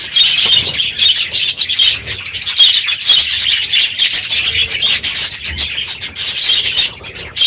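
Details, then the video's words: Budgerigar flock in an aviary, unusually loud this morning at the end of the breeding season: overlapping bright chirping and squeaky warbling, steady and busy throughout with small dips in volume. "My Budgies Today - NOISY birds this morning!"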